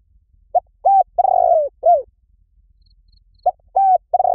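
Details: Spotted dove call used to lure doves: a short note, a flat cooing note, a long rolling coo, then a falling coo, with the next phrase starting after a pause. Background is quiet.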